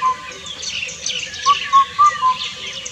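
Indian Cuckoo giving its four-note whistled phrase, each note short and mellow, the last one dropping slightly, over a hiss of other birds and insects.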